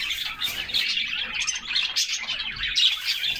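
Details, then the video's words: Steady, high-pitched twittering and rapid chirped notes from a group of canaries bathing in summer, unbroken throughout, with little water noise. "Summer Serenade: Canaries Singing and Splashing in a Refreshing Bath"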